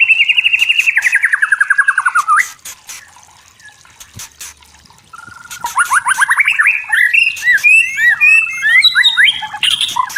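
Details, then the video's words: Forest song of a white-rumped shama: a steady trill of fast repeated notes gliding slightly downward, a pause with sharp clicks, then rising whistled phrases and varied high warbling notes. "Suara Murai Batu Hutan Jernih Alami Jernih Shama bird"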